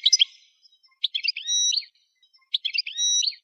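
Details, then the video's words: Goldfinch singing during song training: two short twittering phrases of quick chirps, each followed by a drawn-out, steady high whistle with a faint lower tone beneath, spaced by brief silences. "Song Goldfinch Training"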